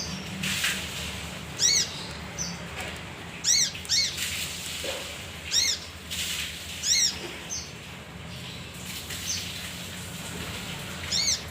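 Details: Male leafbird (kinoi) lure recording: repeated arched, ringing notes rich in overtones, often doubled, spaced about a second or two apart, with faint high chips between them.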